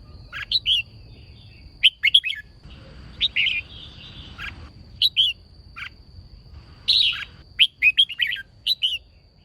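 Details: Red-whiskered bulbul female singing to stir males into song: scattered bright whistled notes and clusters, with a brief sustained tone mid-clip and a faint steady high background tone.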